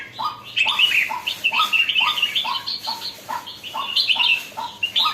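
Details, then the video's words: Caged red-whiskered bulbul turning lively, delivering rapid repeated phrases of a rising lower note and cheerful higher warbles, closely spaced throughout. "sora burung jambul baru nak galak"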